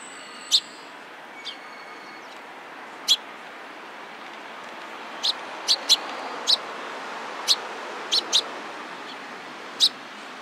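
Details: Sparrows gathering around on 27 April 2017, giving brief sharp high chirps, sparse at first and then coming in a looser run of about a dozen toward the end, over a constant low hum.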